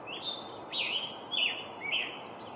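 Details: Scarlet tanager, an American songbird, singing a hoarse, burry phrase of four slurred notes about half a second apart, over steady low background noise.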